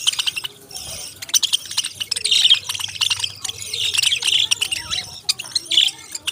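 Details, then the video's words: Busy parrot chatter: many thin, high chirps and rapid tweets layered together, with occasional louder sharp notes standing out from the chorus. "Beautiful Birds Cute Chirping Sounds"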